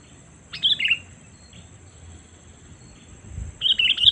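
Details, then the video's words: Sooty-headed bulbul lure call aimed at wild birds: a sharp two-part chirp, a long quiet gap with soft rustling, then a louder burst of several rapid bright chirps at the end. "Suara Panggilan Kutilang Memanggil Burung Liar ‼️ Pikat Kutilang Cengkram"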